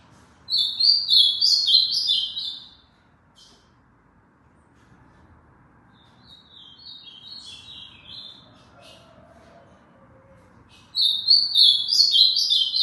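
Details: Ultramarine grosbeak, a tournament bird from Aracaju, Sergipe, Brazil, sings three loud, high warbled phrases, each about two seconds of fast chattering notes, spaced by several seconds of near silence; the middle phrase is softer.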